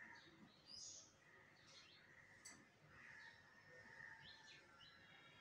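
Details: Common myna filmed while bathing, Bangladesh; a few short chirps and rising whistled notes over steady background hiss, with a sharp click midway.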